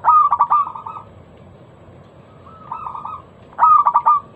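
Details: Local perkutut (zebra dove) lure song with a loud, crystal-clear voice: a rapid stuttering cluster of coos trailing into a purring roll, a quiet middle phrase, then another strong stuttered burst.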